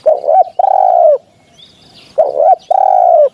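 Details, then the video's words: Hunting-lure call of a spotted dove: two phrases, each a short wavering coo followed straight away by a longer steady mellow coo, separated by a second of quiet. "เสียงนกเขา หมานๆ"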